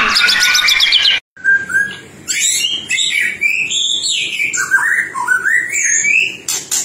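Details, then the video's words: Master song of a white-rumped shama, played to get other birds singing: a rapid trilled burst, a short gap, then a string of rich whistled notes stepping up and down, with a few crisp clicks. "Masteran murai batu"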